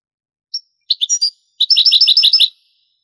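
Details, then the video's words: Granada-style phrase of a European goldfinch from an old Spanish recording of the 1980s–90s: an opening high note, a short twittering group, then a fast, bright rattling trill lasting nearly a second. "CANTO DEL JILGUERO"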